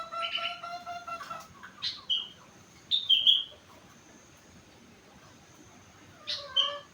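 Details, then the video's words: Captive four-month-old sooty-headed bulbul, gacor and singing an imitative song filled with rengganis notes: a few clear harmonic whistled tones, then short sharp high chirps in scattered bursts separated by pauses. "Burung Kutilang gacor isi rengganis cucak wilis"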